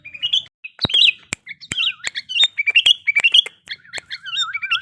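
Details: Sooty-headed bulbul in breeding condition singing lively, varied chirps and whistles with wavering lower notes. Sharp clicking sounds are scattered through the song.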